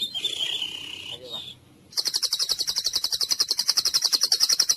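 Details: Therapy song for a mute, sluggish white-rumped shama: a hissy held whistle, a brief hush, then a steady, fast trill of sharp high chips repeated several times a second.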